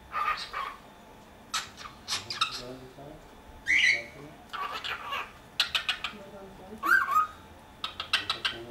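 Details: Pet cockatiel kept indoors in Dortmund-Huckarde, Germany, giving short, scattered chirps and squawky calls with a few rising whistled notes, separated by quiet gaps, against a soft room background.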